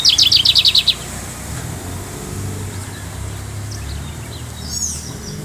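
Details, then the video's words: Lined seedeater (bigodinho) named Talismã, a native bird with the "Pardinho" Melodia song type, recorded on a Friday, gives a quick burst of about eight high, buzzy, evenly spaced notes, then stops; low vehicle rumble and outdoor hum follow. "Bigodinho Talismã o Pardinho de canto Melodia!"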